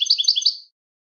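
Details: European goldfinch song snippet: a handful of quick, high, rolling chirps repeated in a short phrase that fades out after under a second.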